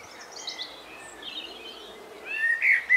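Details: In rural Devon, England, faint high twittering notes give way to a Common blackbird's louder, rich fluty whistles that rise toward the end, over soft outdoor background noise.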